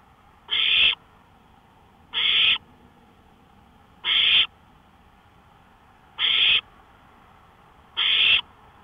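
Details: Owl vocalizing near a porch at 1:53 AM, 5 May 2013. Five breathy, harsh screeches repeat about every two seconds, each lasting under half a second, with a soft hum in the background.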